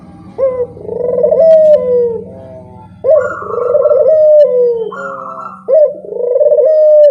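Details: Barbary dove lure cooing over a low steady hum: prolonged soft coos, each starting with a quick upward lilt then held and gently falling, repeated three times roughly every two and a half seconds.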